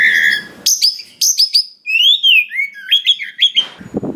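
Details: Forest-caught Oriental magpie-robin (kacer) singing a song rich in varied fill-in phrases, used to prompt other magpie-robins to sing. Sharp high notes lead into sliding whistled phrases and a run of quick, repeated chips, with faint low noise at the end.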